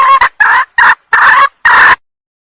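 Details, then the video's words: Sumatran female red junglefowl luring males: five loud, coarse, cackling bursts, each under half a second, spaced evenly, then silence. "suara kokok ayam hutan betina pemikat ayam jantan"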